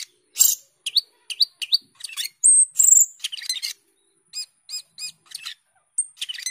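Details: Energetic song of a cucak keling starling in gacor teler style: a jumble of sharp chips, clicks and varied short notes with brief high whistles, and a trio of repeated clear notes.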